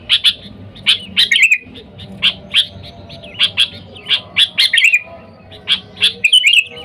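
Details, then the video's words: A sooty-headed bulbul calls to wild birds as a luring aid: steady series of crisp high chirps, some doubled, with a few slurred warbling phrases, near-continuous over a quiet hum. "Suara Dasar Burung Kutilang Gacor Memanggil TEMAN LIAR, Suara Bagus untuk pikat Kutilang"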